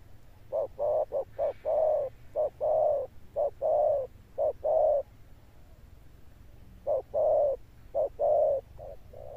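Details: Male spotted dove of the handsome 'cọp' type, cooing in the deep thunder-toned style with a long-lasting ending. Low, hollow coos alternate short and drawn-out notes in irregular bursts, roughly one a second, over a low background hum.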